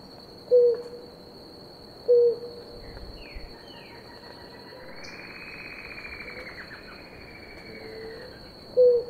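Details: Blue ground dove, one of a pair drinking water, gives short low coos early and late; between them other faint rising and falling bird notes and a steady high insect drone fill the gap.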